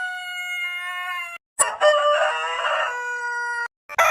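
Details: Ringing end of a rooster crow, then a brief gap, then a full crow with a coarse, buzzy middle and a long sustained final note. Another crow starts just at the end.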